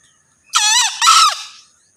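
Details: A lone crow from a male green junglefowl, two loud, buzzy, broken syllables lasting about a second, the second slightly longer, with near silence around them.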